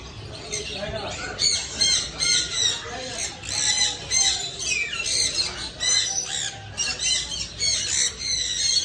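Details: Talking pet parrot producing loud, rapid, grating squawks and chattering syllables in bursts roughly twice a second, nearly continuous throughout, with faint background noise.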